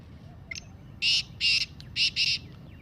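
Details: Black francolin calling voice, used to encourage caged francolins to call. A short high note, then four harsh, buzzy notes in two quick pairs, slightly softer, over a faint hiss.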